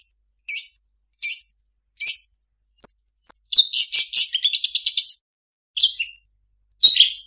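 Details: Long-tailed shrike mimicking other birds: several spaced, sharp high chips about every three-quarters of a second, then a rapid rattling trill that rises in rhythm, followed by two more slurred notes.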